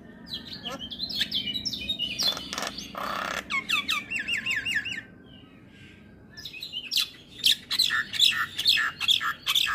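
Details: Javan myna singing an energetic 'gacor' song full of varied phrases: sharp clicks, rapid warbled whistles and harsh bursts, a brief pause near the middle, then a dense run of loud chattering notes.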